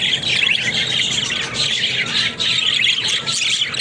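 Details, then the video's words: Pet budgerigars, described as talking, produce continuous scratchy warbling and bright chirps, rising and falling in short waves. "Funny Talking Budgies"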